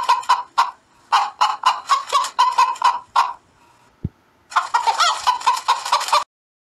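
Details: Chicken cackling at daybreak, rhythmic loud clucks repeated several times a second, a pause with a single low knock, then a final fast noisy burst of cackling.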